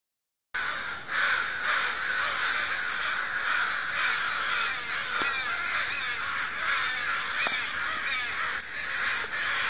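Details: A flock of crows in a tree gives a dense, continuous chorus of harsh, overlapping caws throughout.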